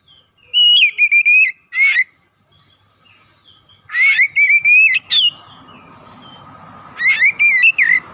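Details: Oriental magpie-robin song played to excite other magpie-robins: three whistled phrases of level notes and sharp flicks, spaced about three seconds apart, with light background rustle.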